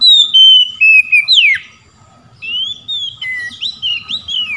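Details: Oriental magpie-robin in open ngeplong song calling out to rival magpie-robins: a drawn-out whistle dropping into a sharp downward slur, a brief lull, then a string of rising and falling whistled notes.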